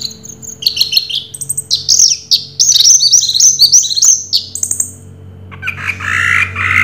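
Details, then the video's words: Orange-headed thrush (anis merah, 'raja teler') in a continuous high, fast song of looping slurred whistles and trills that rise and fall, ending in a harsher buzzy chatter, over a low steady hum. "Suara Burung Raja Teler Anis Merah"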